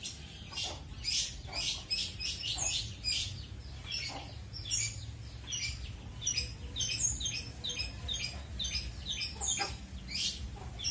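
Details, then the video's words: Kept long-tailed shrike singing training material in the roll speed and roll tembak styles: fast bursts of high, harsh, chattering and scratchy notes come in quick clusters, with brief pauses between them, over a low background hum. "CENDET PASTOL MATERI ROLL SPEED DAN ROLL TEMBAK"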